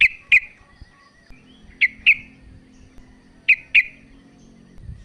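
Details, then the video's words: Female sooty-headed bulbul calling the male, a lure to make a quiet bird call. Sparse paired chirps, each pair a quarter second apart, recurring about every one and a half seconds over a faint low hum. "TRUCUK BETINA memanggil JANTAN"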